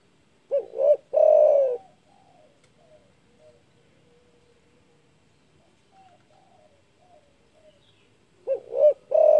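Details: Spotted dove giving a loud call said to provoke rivals: a deep, rounded cooing phrase of two short notes and a longer drawn coo, quiet for about seven seconds with faint murmurs, then the same phrase again.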